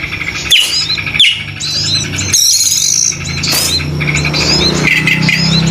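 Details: An Oriental magpie-robin sings actively, giving clear whistled notes and short rising and falling phrases, some sharp and high, over a steady low rumbling hum and background noise.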